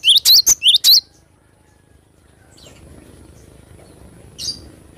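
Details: Actively singing cinereous tit: a short run of four or five piercing, rising chirps in the first second, followed by quiet background and one lone high chirp near the end.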